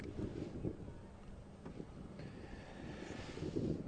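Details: Low rumbling wind buffeting the microphone, with a faint engine drone and no animal voices.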